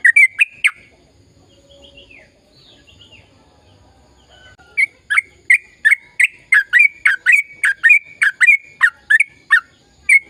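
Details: Sooty-headed bulbul singing long gacor ropel phrases, played to get silent bulbuls singing: an opening trio of loud whistles, a quiet gap with faint soft notes, then a rapid steady string of bright chirped whistles.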